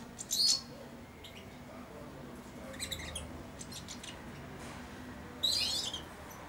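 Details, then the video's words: Caged four-month-old European goldfinch singing its first babbling subsong on and beside the feeding hand: two brief clusters of sharp, high twitters several seconds apart, with soft faint chirps in between, indoors. "καρδερινούλα κελαηδάει δίπλα στο χέρι αλλά και πάνω σε αυτό!"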